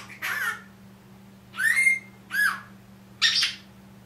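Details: A one-year-old Senegal parrot kept as a pet repeats learned phrases, including "good morning" and "I'll be back". Four loud, harsh syllables, one with a clear whistled tone, are set against a steady low electrical hum.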